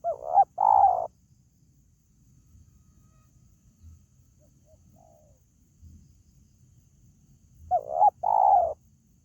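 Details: Spotted dove calling to lure pet birds, with two husky coo phrases of a short note and a longer wavering coo, one at the start and one near the end, separated by quiet with faint low murmurs.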